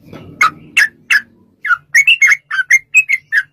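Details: Sooty-headed bulbul in lively, prolonged rapid song used as a lure to make other bulbuls sing. Three bubbly notes are followed after a pause by a quick run of about ten short, chirpy phrases. Faint low rumble underneath.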